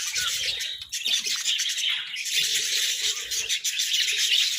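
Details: Budgerigars chirping as they eat vegetables: loud, continuous twittering babble of quick high chirps and trills from several birds, with faint low clicks of movement.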